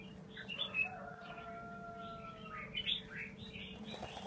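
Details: Red-whiskered bulbul, 'mơ' form, in double-voice (giọng kép) song: soft, scattered chirped notes and brief warbles over a hissy background, with long faint tonal lines and a constant low hum.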